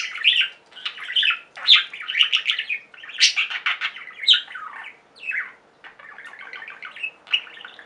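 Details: Pet budgerigars in a singing flock, warbling and chirping continuously: dense bursts of buzzy chatter and short rising and falling whistles, with brief pauses between phrases.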